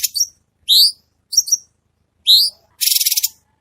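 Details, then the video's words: Red-whiskered bulbul (cucak cungko) in a training recording for cage birds, in a sharp, dense 'tembakan' style: short whistled, slurred notes in separate bursts, then a fast, buzzy trill near the end, with no other sounds. "Masteran Cucak Cungko Istimewa | Tembakan Tajam Rapat Suara Jernih"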